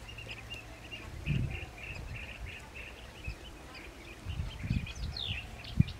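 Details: Blue-tailed bee-eaters at their nest give soft, rolling trilled notes, repeated steadily several times a second at a mid-high pitch, over low wind rumble and a few dull thumps.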